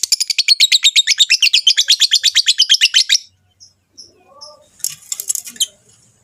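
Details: Rosy-faced and Fischer's lovebirds giving a mating call meant to stimulate the female to breed: a fast, regular run of high, sharp chirps for about three seconds, then quiet with a few faint notes and a short harsh burst.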